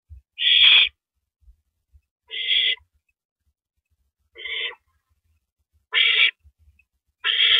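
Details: At the nest on an April 2012 night, an owl hands rabbit prey to its mate; five hoarse, rasping screeches come at uneven intervals of roughly one to two seconds, with soft knocks in the background.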